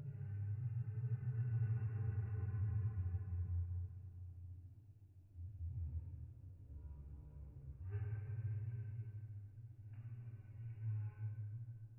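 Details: A deep droning rumble with low, humming musical tones swells and fades throughout, and no animal voice stands out.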